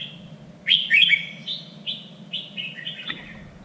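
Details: Three-region standard song of a red-whiskered bulbul, played to train contest birds: a loud warbled opening of quick slurred whistles, followed by a steady series of shorter whistled notes fading toward the end.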